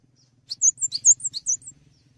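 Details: Cinereous tit (gelatik batu) singing steadily, recorded as a tutor for training songbirds: a rapid run of about eight sharp, high chirps, paired descending notes following one another quickly, with a faint low hum underneath.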